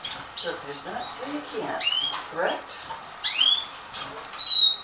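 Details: Young Stafford canary chicks just beginning to leave the nest (1 September 2012) give thin, squeaky chirps and rising whistled notes in irregular bursts, with a few lower murmuring sounds underneath.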